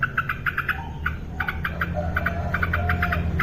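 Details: Yellow-vented bulbul, described as a female singing actively, gives quick clusters of two to five short clipped notes at one steady mid pitch, with brief faint whistles between groups over a low steady hum.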